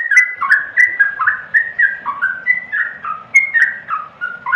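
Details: Yellow-vented bulbul, locally called trucukan, singing a bubbly run of short whistled phrases that hop up and down, about four notes a second, with faint high ticks above and a soft low rumble underneath.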